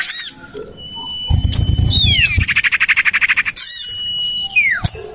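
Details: Common iora lure call, played to attract birds and tested in a garden beside a house: a long, steady high whistle, then a rapid, even run of about fifteen buzzy notes, then another long whistle ending in a falling slur; low rumbling noise in between.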